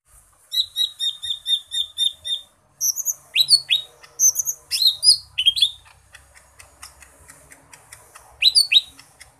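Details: Cucak ijo mini (green leafbird) singing a full, varied song: a row of quick, evenly repeated high chirps, then loud sharp down-slurred whistles and mixed notes in bursts, ending with faint rapid ticking in the background.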